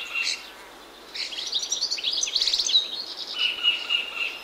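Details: European Goldfinch song in a hedgerow in the morning, with silvereyes and grey warblers also present; bright twittering, tinkling phrases with rapid buzzy trills, a pause, then a long burst of chattering notes.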